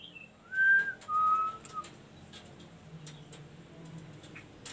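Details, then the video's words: Ashy tailorbird giving two clear whistles, the first slightly higher and arched, the second long and level, against a noisy room background. "KASO KASO GACOR BRO"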